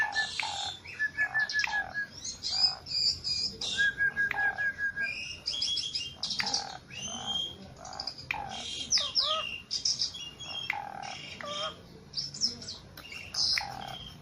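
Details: Very tame, eagerly singing Javan pied starling delivering a long, jumbled sequence of whistles, harsh buzzes, clicks and chattering notes, with short pauses between bursts.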